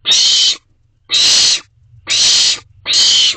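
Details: At an owl box late on 26 June 2023, owlets sound four long, harsh hissing screeches, the first two separated by a half-second pause, the rest closer together.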